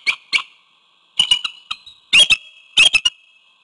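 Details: Wild bald eagle at a webcam nest near Codorus State Park, Hanover, York County, Pennsylvania, on a February 2021 evening, calling out to its mate beside their one egg; loud, high, piping chatter in quick bursts of sharp whistled notes.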